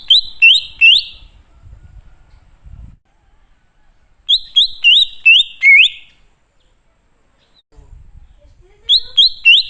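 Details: ['Wild greater green leafbird lure song for coaxing wild birds to reply: short bursts of sharp, high upslurred whistles in groups of three to five, separated by quiet gaps with faint low rumbling.']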